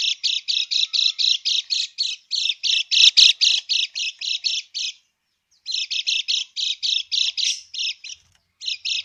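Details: Rapid rasping krekek of a lemon-bellied white-eye, used as a lure so that birds answer back; dense buzzy notes at about four per second, a silent gap near five seconds, then the chatter resumes.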